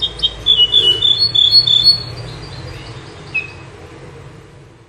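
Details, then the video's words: A Bouh bird sings, recorded for teaching goldfinches: a quick two-second run of high, sweet, slightly warbled notes, then a lone high note after a pause, over a faint low hum. "تغريد طائر البوح"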